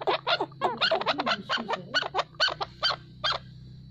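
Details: Chukar partridge making a rapid series of rough, clucking chuck notes, about two per second, that fade out toward the end, leaving a steady low mechanical hum.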